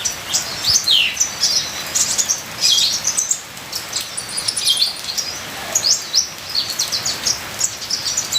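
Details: A ninja sunbird sings a full, varied training song: sharp high twitters, short downslurred notes and brief trills in irregular bursts over steady rain-like patter.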